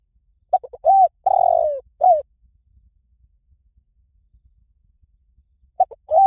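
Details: Cooing phrase of a spotted dove: stuttering short notes lead into a rounded coo, a long descending coo and a short end note; a pause of several seconds, then the next phrase starts.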